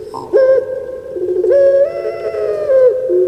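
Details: Pet puter pelung turtle dove, a breed well known in Java, Indonesia, giving its typical long coo rendered kuk gerukkk kwokkk: deep, hoarse drawn-out notes, a short note then two longer sustained tones with a slight rise, recorded indoors.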